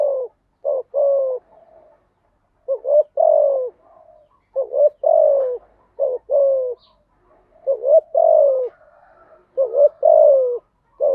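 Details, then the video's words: Spotted dove song used as a lure to train newly caught doves to sing: clear low hoarse coos in short grouped phrases, each phrase a few notes with a falling ending, repeated about every two seconds, no other sounds. "tiếng chim gáy dùng tập chim bổi mới hiệu quả/ tiếng gáy kích bổi gáy ngay"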